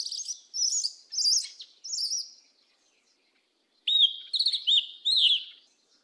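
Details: Yellow-legged thrush (sabiá-preta, Turdus flavipes) singing in the southern 'mateiro' style: high, clear whistled phrases with slurred, wavering notes in bursts, a pause of nearly two seconds, then a louder run of looping whistles.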